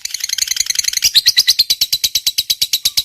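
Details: Ngekek trill from a lovebird, used as a lure to set off other lovebirds. A very quick, dense chatter opens, then slows into louder, evenly spaced shrill notes about six per second.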